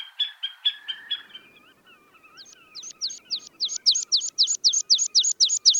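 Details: Young white-tailed eagles eating lumpfish in Iceland give a few husky yelps, a brief pause with soft wavering whistles, then a loud, insistent run of sharp high chips, about four each second.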